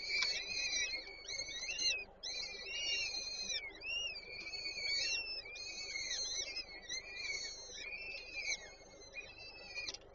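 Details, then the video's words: Peregrine falcon nest in Warsaw Żerań, 8 May 2023, with the female feeding chicks. Steady stream of high, arched squealing notes, roughly one per second, overlapping at times. "Warszawa Żerań - Nela karmi pisklęta 8 05 2023 sokoły wędrowne"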